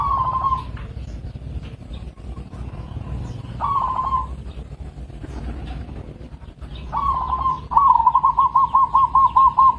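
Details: Local zebra dove (perkutut) calling: short trilled coos near one pitch at the start and middle, then a longer run of rapid, evenly pulsed notes that fills the last two seconds, over a low rumbling background.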